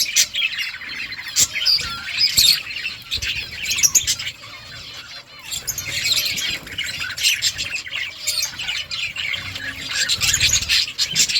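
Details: Colony of budgerigars chattering together, a busy wash of high chirps, rasps and warbles with brief quieter gaps.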